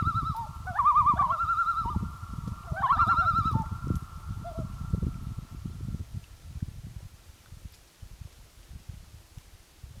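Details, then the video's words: Loons on Gavia Lake, recorded in 2011: two quick quavering tremolo phrases in the first four seconds, then a fading tone and a quiet stretch with low rumbling noise throughout. "Loon on Gavia Lake"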